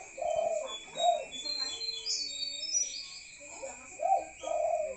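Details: At night a spotted dove gives low, rounded coos, one pair at the start and another pair near the end, with thin high twitters and whistles of other birds scattered between and a constant faint hum.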